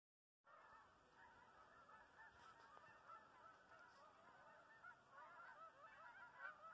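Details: Migrating Canada geese calling as a flock, a dense continuous chorus of overlapping nasal honks, many birds at once with no pause after the opening silence.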